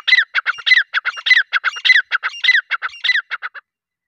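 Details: A grey francolin calls in a steady, rhythmic series of harsh, ringing two-part notes, repeated quickly for about three and a half seconds before falling silent.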